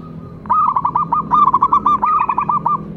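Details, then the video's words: Local zebra dove singing: a continuous rapid series of bubbling, pulsed cooing notes at a steady pitch for over two seconds, with a low hum beneath. "cukup sekali dengarkan perkutut lokal ini manggung"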